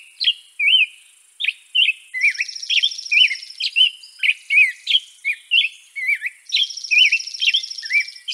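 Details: Loud, close song of a European robin (Erithacus rubecula): bright, jumpy whistled notes dipping and rising in quick succession, joined twice by a rapid high buzzing trill in the background.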